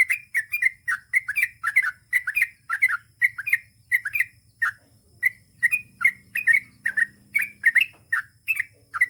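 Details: Sooty-headed bulbul song: bright, bubbling whistled phrases of two to three notes repeated rapidly and continuously, each burst quick and chirpy, with a faint low hum beneath.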